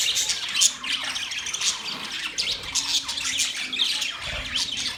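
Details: Several budgies chatter together in a steady, dense stream of high, scratchy chirps and squawks, with short sharp notes overlapping throughout and no pause.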